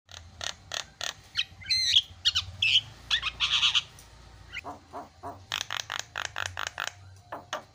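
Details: Starling used as a lure to make other birds call: sharp broadband clicks and chips repeated about once a second, with a few bright whistled notes and a harsh buzzy burst in the middle.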